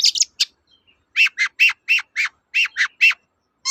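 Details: Long-tailed shrike singing, used as a lure for shrikes that have stopped singing; a few high chirps, then a quick series of about eight rough, scratchy notes repeated in an even rhythm.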